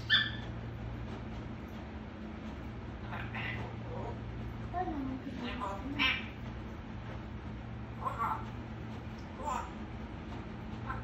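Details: Pet African grey parrot, said to answer when asked and talk a great deal, uttering speech-like babbling syllables and brief squeaks spread across the recording, with a steady low hum beneath.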